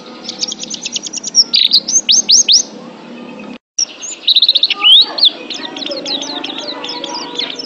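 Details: Pet-bird training song of the oriental white-eye: a quick run of high chirps and rising whistles, a brief break, then renewed bursts of twittering over a low background murmur.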